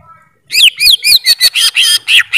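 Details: Greater green leafbird giving a short, bright burst of song: rapid, rich whistled and chattering notes, some swooping downward, delivered in quick succession after a brief quiet start.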